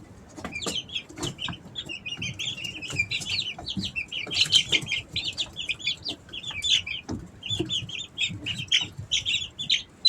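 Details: Easter Egger chicks three weeks old, home-raised in summer, keep up a continuous chorus of high, short falling peeps from several birds, with occasional taps and rustle.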